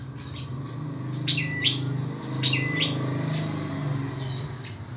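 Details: Ashy tailorbird, an Indonesian native bird noted for its loud, ringing voice: a few high chirps that dip to a brief flat tone and spring back up, repeated about every second, over a strong low droning background.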